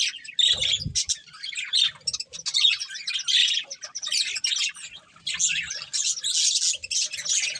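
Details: Budgerigar breeding pair in captivity chattering continuously: rapid high twittering and warbled chirps, with a brief low thump near the start.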